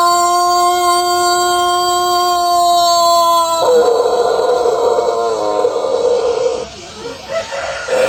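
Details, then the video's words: Pelung chicken of Cianjur, West Java, with its prolonged melodious crow: a pure steady note held over three seconds, then a quavering, rippling section, ending in softer broken fragments. "Ayam Pelung Indonesia | Suara Kokok Panjang & Merdu yang Unik"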